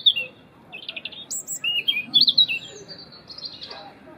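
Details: A European robin sings its winter song, loud and melodious: thin, high, liquid phrases of trills and sliding whistles, rising and falling, with quiet pauses between bursts; in winter both males and females sing.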